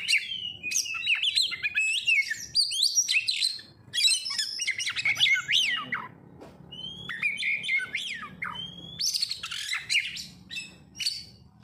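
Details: Oriental magpie-robin singing a lure song meant to get other birds singing: a rapid, varied run of clear whistles, sharp rising and falling slurs and scratchy notes in bursts, with a short pause midway and a low steady hum beneath.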